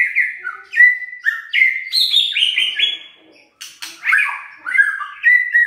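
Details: White-rumped shama singing to provoke idle birds into voicing: a string of sweet whistled notes stepping up and down, a brief pause with a harsh rasp, then more slurred, descending whistled phrases.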